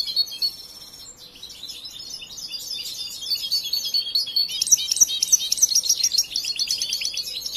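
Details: Young European goldfinch raised from hatching and still learning its song: a short trill at the start, soft chatter, then an increasingly dense, loud jumble of high twitters and buzzy notes.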